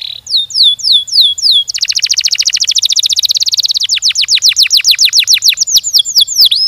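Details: Canary singing a long gacor roll: swooping notes, then a dense rattling trill, then a fast train of crisp downslurred whistles with a final looping note.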